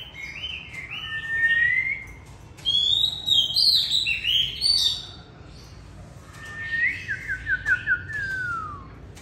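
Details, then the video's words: Old white-rumped shama, kept caged and hung out in light afternoon sun after bathing, delivers rich fluting phrases, some high and twisting, closing with a rapid descending trill of stepped notes. "Phơi nắng chiều choè bổi già hót sổng"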